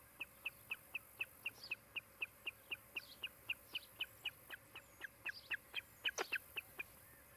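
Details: Osprey at a nest-cam nest in Charlo, Montana, one of a breeding pair, afternoon of 16 July 2018: rapid run of sharp, high chirped notes, about four each second, steady and even, with a few fainter rising squeaks above near the end.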